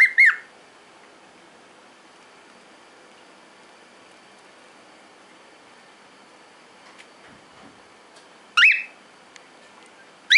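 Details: Pet cockatiel sneezing while preening indoors: short, sharp bursts at the start, near the end and again at the very close, separated by long quiet stretches with a faint steady room hum.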